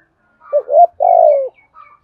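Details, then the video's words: Decoy spotted dove cooing to draw in wild doves on a wet, windy morning: a brief rising coo followed by a long, pulsing, slightly falling coo, with soft distant chirps from other birds. "Tiếng chim cu gáy mồi gáy gọi bổi buổi sáng mưa gió, bổi nghe nhạy gáy"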